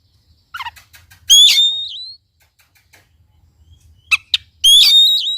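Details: Oriental magpie-robin song used as a lure to get a quiet bird to sing: two loud, ringing whistled phrases with sliding high notes, each led in by sharp clicks, separated by a pause of soft chatter.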